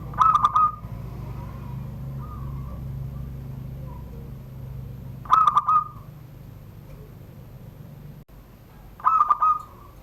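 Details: Caged zebra dove from Serang, Banten, Indonesia, singing in the rare classic 'surung gdor' crystal style: three mellow cooing phrases, each a cluster of quick clicky notes ending in a held tone, spaced about four seconds apart over a low hum.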